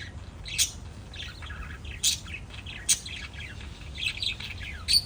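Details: Shrill lovebird chirps from a family of five birds: clusters of scratchy, twittering notes punctuated by loud piercing squeaks about once a second, with a faint low hum underneath.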